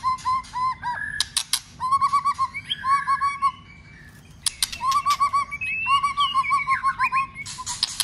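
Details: White-rumped shama in training for contest singing, excited into loud song with snapping: repeated clear whistled phrases with trilled, warbling notes, broken by sharp loud clicks, a short pause midway, then more whistled runs and rising slurs.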